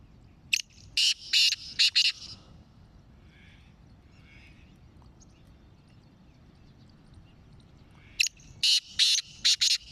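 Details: Sindhi black francolin from the Sindh and Punjab region calls twice. Each phrase is a rapid run of five or six rasping, buzzy bursts, and a long quiet pause separates the two phrases, with faint hiss behind.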